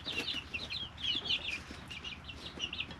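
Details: A group of three-week-old domestic chicks in a brooder gives rapid high peeps, each short and falling, in clustered runs with brief gaps between them.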